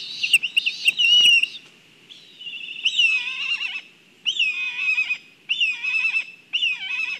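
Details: Black kites at a nest in Kurzeme, Latvia, during a food delivery, filmed by a live nest camera: quavering, high whistled whinnies with a shaky, wavering tremolo, given in five bursts of about a second each with short pauses between.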